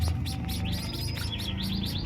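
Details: Newly hatched hybrid chicks (White-headed Munia × Society Finch) beg while being fed by their parents in the nest, quick runs of thin, high chirps, several notes each second, over a steady low hum.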